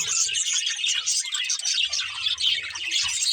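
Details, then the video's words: Breeding pair of budgerigars giving dense, high, chattering warble with quick squeaks, over faint low thumping in the background. "Cute Budgies Chirping Sounds"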